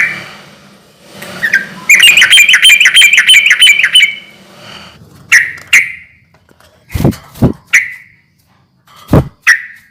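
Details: Sooty-headed bulbul singing, meant to lure silent or stressed bulbuls into replying. A fast two-second run of ringing chirps, then scattered single notes mixed with several loud knocking thuds.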